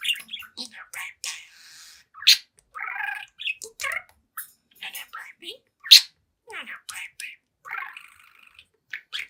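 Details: Talkative seven-month-old pet budgie, indoors before a mirror, chirping and chattering; quick strings of scratchy squeaks and buzzy chirrups, some nasal, with a few louder sharp notes and short pauses between phrases.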